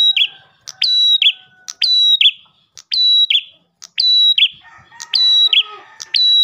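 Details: Ash tailorbird, singing as a lure for other tailorbirds, gives repeated tick-whistle-buzz phrases roughly each second; fainter whistled tones and another soft bird sound appear behind toward the end.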